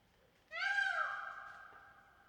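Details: Indian peafowl shown in full courtship display; a single loud, harmonic wail rises briefly and then slides down and fades over about one and a half seconds, against a faint background hiss.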